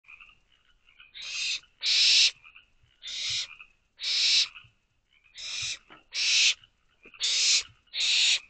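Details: Barn owl owlets in a nest box calling for more food shortly after midnight in late May 2023; harsh hissing screeches, each about half a second, come in uneven pairs, with softer rasping sounds between them.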